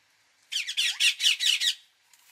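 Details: Indian ringneck parakeet letting out a loud, harsh, pulsing screech of about six rapid syllables lasting just over a second.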